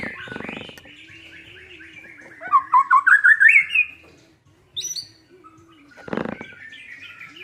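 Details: White-rumped shama singing as a lure to make a silent shama sing: a soft warbled phrase, then a quick burst of seven loud, sharp notes climbing in pitch. A high chip and a brief broadband rattle follow, with a faint steady hum beneath.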